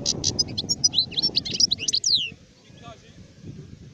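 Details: Recorded in 2019, an adult European goldfinch delivers a rapid run of high, sharp twittering and liquid chirps for about two seconds, ending in a falling slur, then stops, leaving only a low background murmur.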